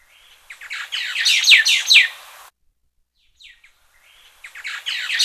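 White-browed Laughingthrush giving a harsh, rapid chatter of scratchy notes for about two seconds, a brief pause, then another burst.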